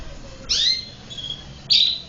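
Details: Domestic canary giving two loud, harsh high chirps with downward-slurring tails, separated by a faint thin whistle.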